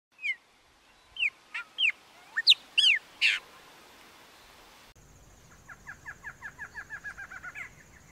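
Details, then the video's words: Male barred antshrike singing in the wild in Brazil: scattered sharp high notes at first, then after a pause a fainter series of short, evenly paced notes that quickens over about three seconds, with a steady high hiss behind. "CHOCA-BARRADA (MACHO) - Cantando na Natureza - Barred Antshrike"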